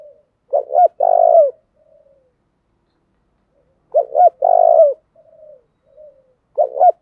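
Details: Spotted dove cooing to stimulate other doves to coo: two phrases of low, hollow notes about three seconds apart, each a pair of short coos, then a long drawn-out coo and soft trailing notes, with a third phrase beginning at the end.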